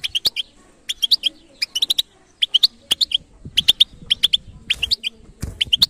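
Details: European goldfinch delivering batbata-style song: an almost unbroken run of quick, metallic twittering chirps in a steady bouncing rhythm, with a few low knocks.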